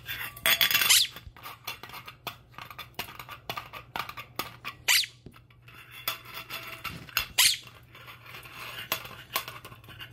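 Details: Lago, a pet male Quaker (monk) parakeet, excitedly plays on the ground with a lid, grabbing, throwing and chasing it, giving short, harsh bursts of laughter-like chatter among clattering lid clicks.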